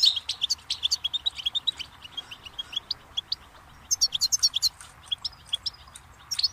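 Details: Goldfinch song on a tutoring tape for young songbirds: softer, scattered high chirps and clicks, with a louder burst of sweet, ringing twitters in the middle and faint background hiss.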